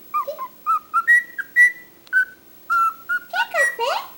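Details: Pet cockatiel described as very talkative, giving a quick series of short whistled notes at shifting pitches, some falling, ending in rapid speech-like rising sweeps; no other sounds.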